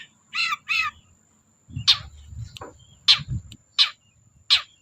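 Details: Long-tailed shrike used to coax silent birds into song: two harsh, rasping notes, then loud, scratchy calls repeated roughly every second, with dull thumping sounds underneath.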